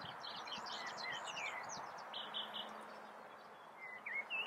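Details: Common reed bunting (Emberiza schoeniclus) calling, filmed in the Eifel: thin, high chirps and short downslurred notes, busiest in the first two seconds, then a few sparse notes, over a steady rustling hiss.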